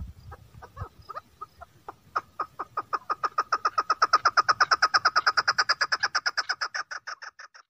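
A female chukar gives a long series of clucking chuck notes that start slowly, quicken to about three per second and swell in loudness, over a faint low rumble.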